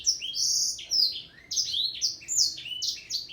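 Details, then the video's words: Black-throated canary singing a fast, high, unbroken warble of sweet whistles and buzzy trills, with slurred notes rising and falling over one another. "Ocehan burung sanger blackthroat"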